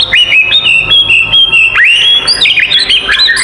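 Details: Oriental magpie-robin fighting song meant to provoke rival magpie-robins: a long sustained whistled note held near one pitch, then a quick upward sweep into higher, varied chirps and trills.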